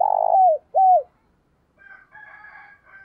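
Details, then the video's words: Caged decoy spotted dove cooing loudly in the morning to lure wild doves: two low, downward-bending coos in quick succession, followed by a fainter, higher chattering sound from another bird. "Tiếng Chim Cu Mồi gáy gọi buổi sáng cực sung và vang"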